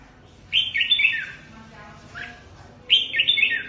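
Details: Caged red-whiskered bulbul decoy bird for trapping, from Cao Bằng, repeating a lively, bright warbled phrase twice, rippling up and down, with a brief softer note in the pause between.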